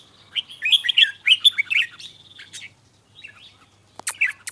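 A red-whiskered bulbul sings a quick run of bright, bubbling whistled phrases, then pauses before a few sharper notes and a clipped flourish.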